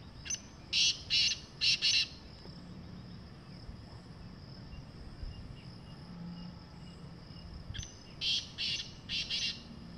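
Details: Wild black francolin in jungle giving two harsh, scratchy phrases of about five grating notes each, separated by roughly six seconds of quiet background.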